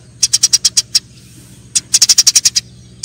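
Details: Eurasian tree sparrows in a fight: a quick run of about six harsh chirps, a pause of under a second, then a denser burst of about ten, with a faint low hum underneath.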